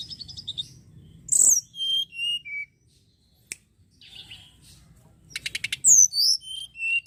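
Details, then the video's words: ['Sunda robin song for luring birds: a harsh burst, then descending high whistled notes, a pause, then rapid clicking pulses and bright warbled whistles.'] "pancingan tledekan gunung gacor cocok buat pancing burung bahan"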